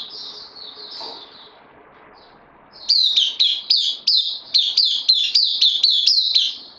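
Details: Bulbul newcomer on loan, caged, 12 September 2020. Soft, thin warbling notes at first, then a bright burst of quick, clipped high chirps each sliding downward in fast succession.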